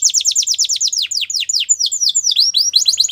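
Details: Canary song for training, a fast run of high descending whistled notes repeated about six per second, then shifting to quicker sweeping trills near the end; bird alone, clean and loud.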